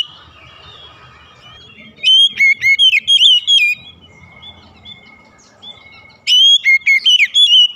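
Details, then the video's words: Oriental magpie-robin morning song: a faint opening, then two loud bursts of quick, bright whistled notes leaping up and down in pitch, with soft steady whistles between them. "OCEHAN KACER DI PAGI HARI"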